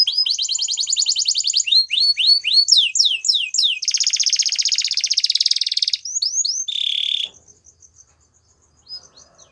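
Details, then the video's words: Song of a Belgian canary, with fast repeated slurred notes, chains of downward sweeps, a dense buzzy rattle lasting about two seconds, a short low buzz, then faint ticks and near silence. "Canary Bird Singing | Belgian Canary"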